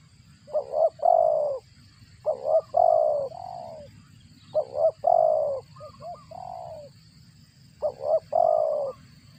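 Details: Parent spotted dove feeding chicks, with a voice likened to a cricket's; low, muffled coo phrases, a short double note leading into a longer purring note, repeated about every two seconds.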